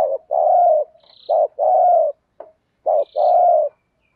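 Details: Decoy spotted dove calling to attract wild birds in THÚC GÙ style; three low cooing phrases in steady rhythm, short note then sustained coo, with a soft click and faint high chirps.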